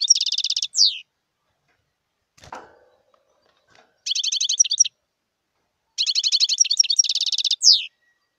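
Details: Wild European goldfinch giving three bursts of song, each a fast, buzzy, rattling trill of high, evenly repeated notes closing with a descending slurred note, separated by pauses and a single soft click.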